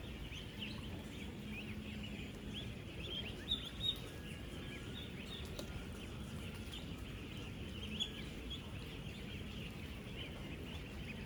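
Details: Ten-day-old ducklings, 16,000 housed together on a farm: an unbroken mass of thin high peeps, a few louder knocks and thumps, and a steady low rumble underneath.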